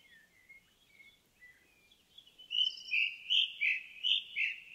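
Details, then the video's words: An indigo bunting sings in the forest. Faint, thin notes lead into a louder series of about six clear, sweet doubled notes repeated roughly every third of a second. "Indigo Bunting in the Forest"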